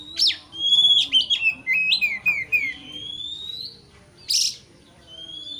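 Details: Caged white-rumped shama singing to provoke a rival. A rapid run of descending whistled notes leads into a long rising whistle, followed by one harsh burst and a soft final whistle.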